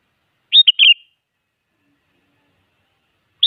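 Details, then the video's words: A sooty-headed bulbul in full voice, played to coax quiet bulbuls into replying, gives one brief liquid phrase of three fast slurred whistles, then silence until another phrase begins at the end. "Suara Burung Kutilang Gacor Siap Buat Pancingan Jadikan Kutilang Malas Ikut Nyaut"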